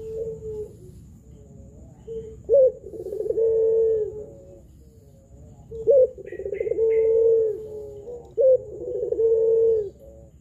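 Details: Pelung-style spotted dove cooing as a lure for reluctant or learning doves. Three phrases each open with a quick high note, tumble into rapid trills and settle into a long steady coo. Faint high chirps sound once.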